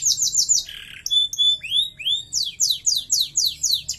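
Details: Singing canary: a rapid descending trill, a short buzzy note, long thin whistles and upward slurs, then a run of falling swept notes repeated at a steady quick pace.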